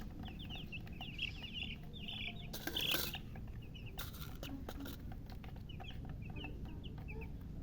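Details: Just-born chicks chirping loudly: a burst of quick, high descending peeps at the start, then loud clattering bangs, and scattered peeps return near the end over low background rumble.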